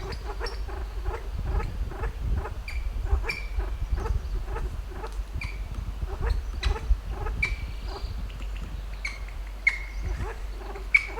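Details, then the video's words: Kalij pheasant in a western Himalayan sanctuary climbing its roosting tree at dusk, giving rapid clicking pulses with a low trilling tone in steady runs, while sharp higher whistled notes from other birds cut in every second or so. "Kalij Pheasant makes beautiful trilling - clicking sounds from roosting tree"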